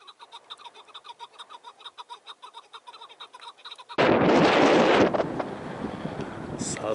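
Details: Chukar partridge in snowy mountains in spring 2019, calling during a partridge hunt: about four seconds of rapid repeated clucking chuck notes, roughly two per second, then a burst of loud wind and handling noise.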